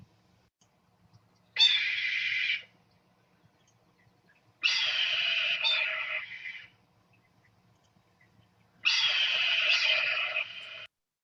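Red-tailed Hawk giving three hoarse, drawn-out screaming keeer calls, each one to two seconds long and spaced about four seconds apart, with nothing else heard.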